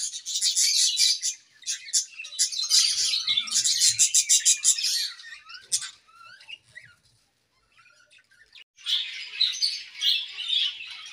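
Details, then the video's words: A pair of budgies singing in an aviary in the morning: bursts of high, rapid chirps and scratchy warbling, then a short near-silent gap before another run of chattering notes. "A Beautiful Morning with Budgie Pair | Serenade in the Awesome Aviary"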